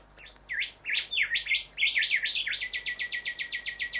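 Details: Male rufous whistler (Pachycephala rufiventris) singing at house windows, drawn to his reflection, as he usually does at this time of year; a burst of varied, swooping whistles, then a fast, even string of about five or six ringing notes a second.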